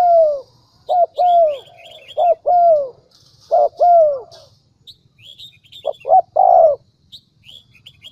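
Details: Lure recording of a decoy dove meant to make wild doves coo: loud coos in twos and threes, each falling in pitch, in bursts with pauses, while thin high chirps from small birds scatter above.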